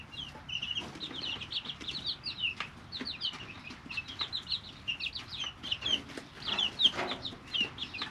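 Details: Brooder full of three-week-old chicks: continuous high-pitched peeps, short downward-sliding notes tumbling over one another, punctuated by sharp tapping clicks, likely pecking, and light rustling.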